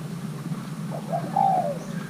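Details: Single coo phrase from a young male Thai-hybrid spotted dove during pairing: soft short lead-in notes, then a long smooth coo that falls away at the end, over low constant hum.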